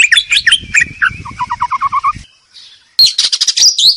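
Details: White-rumped shama, a champion songbird, in a recording mixed with rain sounds: a varied song of quick chirps, a falling series of six clear whistled notes, a short pause, then a burst of bright high notes.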